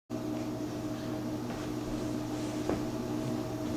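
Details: Constant mechanical hum with steady low tones and one brief click, with no animal calls.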